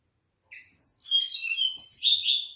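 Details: Mangrove blue flycatcher delivering a bright high-pitched song phrase, whistled notes tumbling down the scale then jumping up into rolling warbles that fade at the end.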